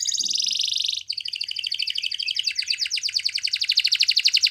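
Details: Spanish Timbrado canary singing: a dense, steady trill of rapid repeated notes, first a smooth rolling phrase for about a second, then a pulsed, metallic-sounding trill with clearly separated beats that grows slightly louder toward the end; no other sounds.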